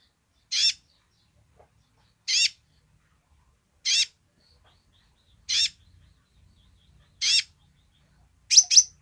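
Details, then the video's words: Kolibri ninja sunbird giving its basic song in lively form: five evenly spaced raspy, high chirps about every 1.7 seconds, then a quick double note at the end, against near silence. "kolibri ninja gacor//suara dasar nya !"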